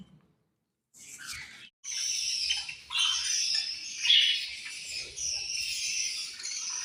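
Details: Budgies eating and chirping, high continuous scratchy warbling after a brief silent start, with faint low rustles beneath.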